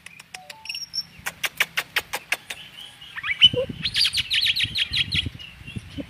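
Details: Oriental magpie-robin in lively song: a run of separate sharp whistled notes, then a fast rattling trill of repeated buzzy notes, with some low background noise.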